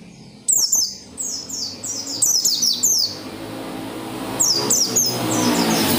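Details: Oriental white-eye singing energetically, intended to make other white-eyes sing: streams of thin, high, descending notes in clustered runs, with hissing background noise rising toward the end.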